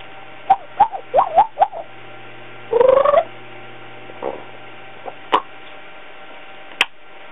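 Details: Pet female African grey parrot, just over a year old, chattering in quick, bending whistled syllables, then a longer rising, voice-like phrase and scattered clicks and squeaks in a quiet room. She says hello, barks like a dog and whistles.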